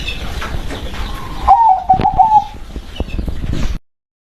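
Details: Local zebra dove giving a short rolling coo, a soft bubbly trill that wavers around one low pitch for about a second, over steady background noise and faint clicks.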